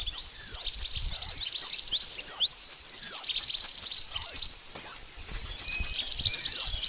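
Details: High, rapid twittering of pied bush chat used as a trapping lure: chirp bursts broken by short gaps, with clear thin whistles now and then.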